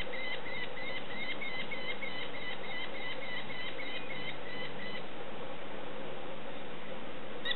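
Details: Hungry young sparrowhawks being fed: thin, high chirps repeated in a quick steady series for about five seconds, then fading out, over a low rumbling background and a click at the end.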